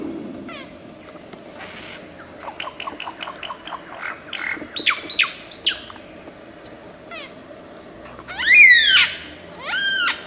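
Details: Lyrebird, an Australian forest bird noted for mimicry, gives soft clicking chirps that build into louder descending notes, followed by strong arched harmonic squawks near the end.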